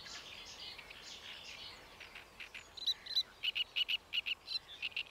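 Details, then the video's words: Great reed warbler at Paxton Pits Nature Reserve, 28 May 2016, giving a series of loud, clipped, grating syllables repeated about three or four times a second after a softer muddled opening, over steady outdoor hiss. "Great Reed Warbler"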